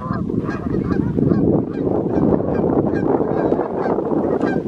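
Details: Evening flight of Canada geese, summer or fall 2020, with a continuous chorus of faint overlapping honks buried in a heavy low rushing noise.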